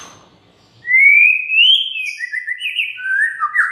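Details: White-rumped shama song played as a lure to stir other birds into singing: a long loud whistle sliding upward, then a string of wavering whistled phrases falling step by step in pitch.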